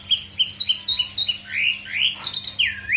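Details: Full-content song of an Asian pied starling, played to stir quiet birds into singing: a quick series of descending chirps followed by three loud, rich swooping whistles that rise and fall, with a background hum.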